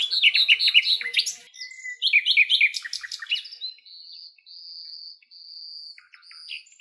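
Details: A common nightingale singing in Greek nature, recorded in its natural habitat, delivers fast, rich phrases of chirps and trills, then long pure whistled notes held about a second each.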